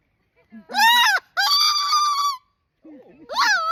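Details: Pet cockatoo vocalizing loudly among people in a public place. A run of harsh, rasping squawks rises and falls in pitch, broken by brief pauses, with soft human voices murmuring between the calls.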